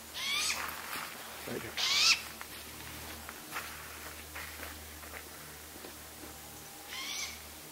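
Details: A juvenile great grey owl calls out to its parents with harsh, rising screeches, three spaced over about seven seconds, while a fainter sibling calls in the background.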